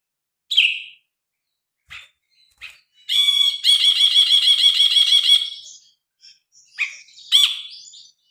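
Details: Phone recording of an actively singing grey-cheeked bulbul, used to tutor cage birds. Isolated sharp notes give way to a two-second burst of rapid, rich repeated notes, followed by scattered slurred calls and an upswept note.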